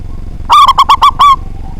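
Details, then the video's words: Strong-voiced local zebra dove, used as a lure to draw rivals into song, gives one brisk phrase of fast, ringing coo notes ending in a slightly longer, rolling note, with only soft low hum behind. "Perkutut Lokal Gacor Suara Besar, Jago Memancing Lawan"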